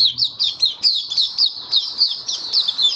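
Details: White-eye (mata puteh) in a cage, in song during warm humid weather, March 2022; a steady, high-pitched stream of squeaky, down-sliding whistles tumbling one after another.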